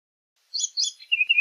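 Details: Orchard oriole (Icterus spurius) song fragment: a few quick slurred whistles sliding downward, ending in two short lower chirps.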